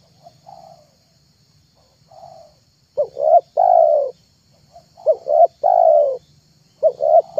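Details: Spotted dove call used as a lure for wild and trained doves: soft quiet coos building into loud phrases of two short notes and a long coo, repeated about three times.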